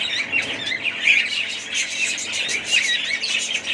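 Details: A budgerigar family group chirps and squeaks over one another, a pulsing high chatter with a few clear whistled peaks and slight dips in loudness between bursts.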